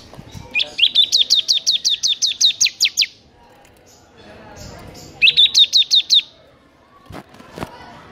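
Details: Ngebren song of a bar-winged prinia, given in two bursts: first a long rapid train of high clipped notes lasting over two seconds, then after a short gap a briefer second run of the same quick chirps.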